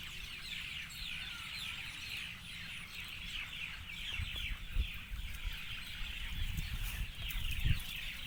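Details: Birds singing together in the evening, a thick mesh of quick high chirps and twitters, with occasional dull knocks and a low background rumble growing louder toward the end.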